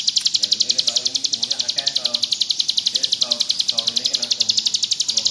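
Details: Ciblek gunung, or bar-winged prinia, singing vigorously in the ngebrem style used for tutoring: a continuous fast high-pitched trill of sharp pulses, with human voices murmuring underneath throughout.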